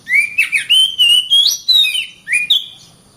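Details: Oriental magpie-robin giving a continuous varied whistled phrase of about a dozen linked notes. Clear slurred whistles sweep up and down with sharp upward flicks, ending in a falling note.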